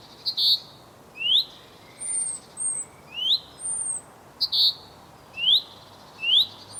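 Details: Male common chaffinch (Fringilla coelebs) calling to his mate: short, rising whistled notes mixed with thin, very high slurs, about one note per second, over a quiet background.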